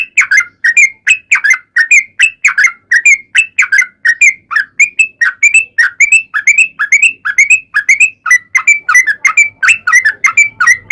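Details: Sustained 'ropel panjang' song of a sooty-headed bulbul, used as a lure to make bulbuls sing: an unbroken eleven-second run of fast whistled chirps, each note bouncing between lower and higher pitch, steady and evenly loud.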